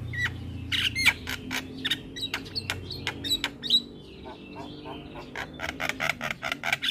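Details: Dense chattering song of a Javan myna used for tutoring other birds, with rapid clicking and squawking bursts, short whistles in the middle, then a fast rattling run of harsh notes.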